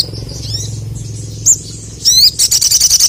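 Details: A male crested jay sings to provoke rival birds, giving a thin wavering whistle, a loud sharp note, a rising slurred whistle, then a quick run of bright repeated chatter notes. A low hum runs underneath.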